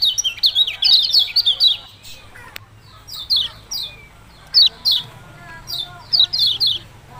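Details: Kecial kuning or yellow-bellied prinia in ciak-ciak song, a fast run of high chips at first, a gap, then irregular single and paired sharp notes.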